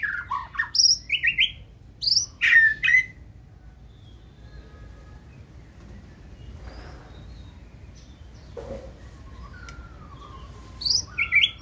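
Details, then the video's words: Caged white-rumped shama giving bursts of sharp high whistled and chattering notes at the start, a long quiet gap with a faint low whistle, then another brief high burst near the end. "Chòe lửa bông hót giọng rừng"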